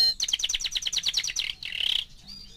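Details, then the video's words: Young canary, four months old, giving a fast rhythmic series of chirped notes followed by a quick buzzy trill. "Кенар №1 ( 4 месяца)"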